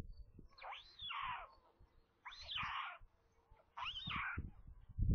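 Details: White stork chicks in a nest near Kaluga, central Russia, at feeding time around 13:57 on 27 May, five young in the brood; three drawn-out, hoarse, mewing calls, each about a second long, separated by short pauses, with faint low rumbling beneath.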